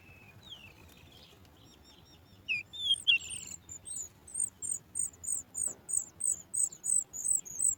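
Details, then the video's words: Sooty chat chick in its nest, calling as it hears its mother bringing food: after a few soft chirps, loud thin high squeaks begin, then repeat steadily about twice a second. "Sooty chat trying, the baby bird also soars high when it hears its mother bringing food."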